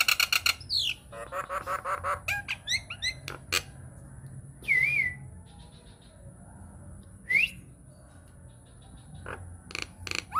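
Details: Lure song of a Nias hill myna for drawing other mynas to sing, opening with a rapid train of harsh clicks, then two loud upward-swooping whistles separated by quiet gaps and a few closing clicks.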